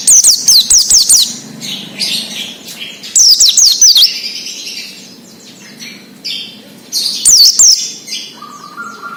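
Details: Oriental white-eye delivering wild-style ngalas song, played to stimulate untrained caged birds: three bursts of rapid, high, down-slurred whistles, each lasting about a second, with quiet gaps and a faint thin tone near the end.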